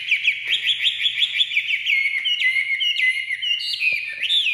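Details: A caged Chinese hwamei, just taken out of its transport box, pours out song: a quick series of repeated downward-slurred whistles, then longer ringing phrases that step up and down in pitch.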